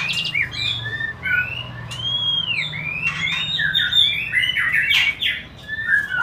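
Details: White-rumped shama song used to prompt breeding: clear rising and arching whistles followed by a busier stretch of sharp chips and fast slurred notes, with a soft low hum beneath.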